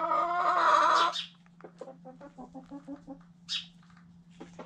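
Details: Close-up white Silkie rooster ends a rich, harmonic crow in the first second, then gives a run of quick, low clucks at a steady pace, with a brief higher squawk near the end over a constant hum.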